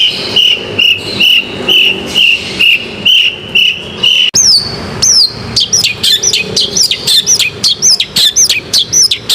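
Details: Long-tailed shrike song used as a bait recording to prompt a quiet shrike to sing: about four seconds of steady, evenly repeated high whistles, then a rapid series of sharp, high slurred notes that rise and fall.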